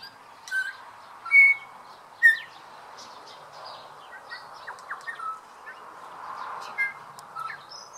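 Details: Male New Zealand bellbird (Anthornis melanura, korimako), endemic to New Zealand, in dawn song: clear, bell-like whistles and quick chirping notes every second or so over a steady background hum of other calls.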